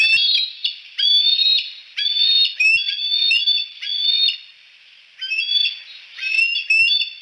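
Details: At sunset at Decorah, three bald eagles on a Y-shaped branch give drawn-out, thin whistled notes, slightly rising and wavering, in bursts about a second long separated by short gaps.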